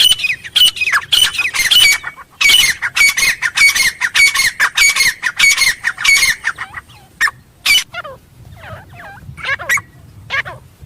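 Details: Wild Grey francolin giving its loud call in the jungle: a fast series of harsh, shrill notes for about six seconds, then a few scattered, softer notes and fainter calls.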